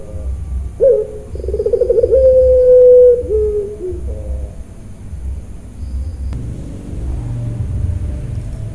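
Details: Puter pelung dove, a bred dove kept on a farm in Kroya, Cilacap, Central Java, giving a low cooing call: a sharp note, a rapid trilled burst, then a long level hum sliding down, over steady low background rumble.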